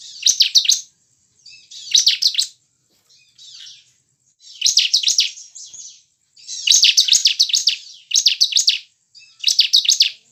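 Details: Bar-winged prinia song played to make caged ciblek sing quickly: loud bursts of rapid, sharp, high chirps, roughly every one to two seconds, with faint twitters in the gaps.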